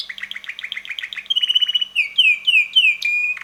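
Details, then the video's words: Young red male canary that loves to sing, with melodies changing weekly: fast chattering phrases, a quick rolling trill, then loud descending whistled slurs repeated roughly three times a second. "red canary bird singing - roter singender Kanarienvogel"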